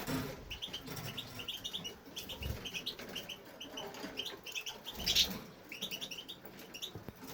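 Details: Caged male European goldfinch in an aviary, singing nonstop: quick high chirps strung into rapid twittering phrases, repeated in bursts of several notes, with a few soft flutters and rustles behind.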